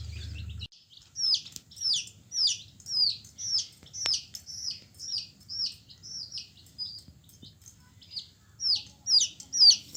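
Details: A yellow baby chicken gives loud, clear, high peeps that slide downward, repeated roughly twice a second in a steady string. There is little else apart from a brief low rumble at the start.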